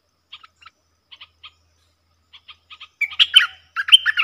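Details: Wild Puff-backed Bulbul answering a caged lure bird, keeping its distance from the cage. Sparse short clipped notes come first, then a loud, rich, warbling phrase with rising and falling slurs near the end.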